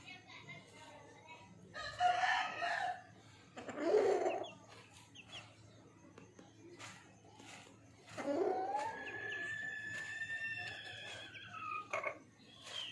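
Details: Country chicken (desi murga) calling: rough, harsh bursts at two and four seconds, then a long drawn-out crow with stacked tones near the end, among faint voices indoors.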